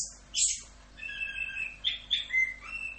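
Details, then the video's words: Orange-headed thrush masteran song, full 'Rock'n Roll' style: a sharp high note, then soft drawn-out whistles and several loud short whistled notes at a level pitch, with a faint hum behind. "MASTERAN ANIS KEMBANG FULL Rock'n Roll"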